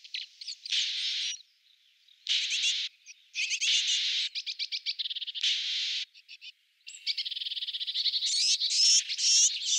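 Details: Courting European robin giving high, rapid notes in bursts, with stuttering rattled sequences and dense buzzy blocks of sound separated by short silences, ending in a long high twittering run.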